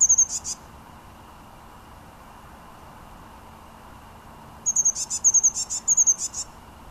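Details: Wild blue tit song recorded in January 2013 at Münchenstein, Switzerland. One short phrase at the start, then after a pause a longer burst of very high, thin, piercing notes mixed with buzzy trilled segments, repeated several times over about two seconds.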